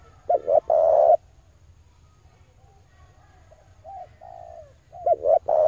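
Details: Male spotted dove cooing used to lure wild doves, a rapid double note and long steady coo, then fainter coos and a repeat at the end, over a constant low hum.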